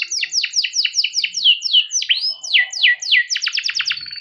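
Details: Canary kept by a breeder, singing as a lure for young canaries: a steady series of loud, descending whistled notes about five per second, ending in a quick rattling trill.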